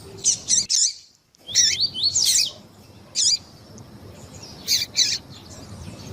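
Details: Double-collared seedeater sounds with female calls, used to excite a male: sharp, buzzy chirps in pairs and singles separated by pauses, with a faint steady high whine in the background.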